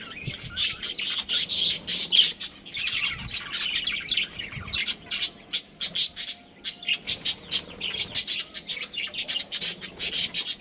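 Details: Budgerigar family colony kept as pets, chirping busily: a steady stream of high scratchy chirps and squawks, rapidly repeated in short pulses, several birds calling together.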